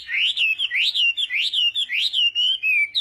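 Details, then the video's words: Morning song of a Chinese hwamei in voice training: loud rising whistled slurs repeated about every half second, each sweeping up then falling, in a clear rhythmic series. "hoạ mi hót sáng luyện giọng"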